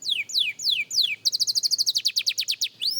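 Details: Young canary practising, four loud downward-slurred whistles followed by a fast, even series of short trilled notes and a final rising whistle.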